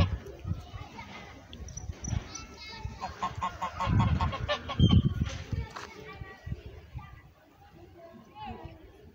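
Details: Pilgrim goose, an orange-footed domestic breed, honking in a short nasal burst of repeated calls midway, with low rumbling background noise and voices nearby.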